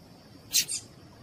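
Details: A female double-collared seedeater (coleiro tui-tui) calls, used to warm up and train males. She gives two quick, high, sharp notes in under half a second, the second a little softer, over faint hiss.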